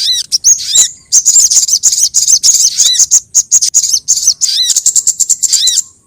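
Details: Crimson sunbird lure call used to attract sogon birds: high, thin chirps and rapid buzzy trills, with sharp downslurred notes dropping to a lower tone, packed in dense bursts with brief gaps.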